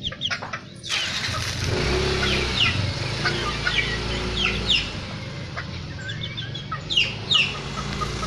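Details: Bantam chickens, about four months old and kept for breeding, give short, high chirping calls and soft clucks over a steady engine rumble.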